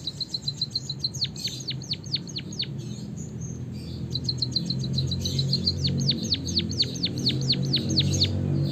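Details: Long rolling song of a white-headed munia with canary-style fill, played to stimulate other birds to sing: extended rapid series of high, steeply descending chirps, briefly pausing midway, with a low steady hum underneath.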